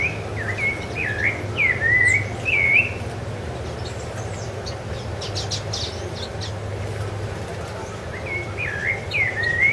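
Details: Rufous-bellied thrush on Ilha do Governador, January 2013: a quick run of warbled whistled phrases, then a pause filled by faint high chirps from other birds, before more swooping whistles, all over a low hum.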